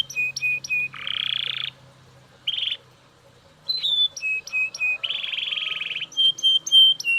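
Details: Belgian canary singing loudly with spaced sharp chirps, harsh buzzy rolls, a pause, then more chirp series and a second long buzzy roll.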